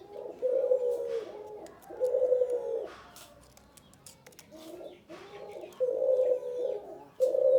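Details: Male spotted dove giving low, mellow coos that drop slightly in pitch, a pair of phrases, a quieter gap with faint chirps and clicks, then more coos resuming toward the end.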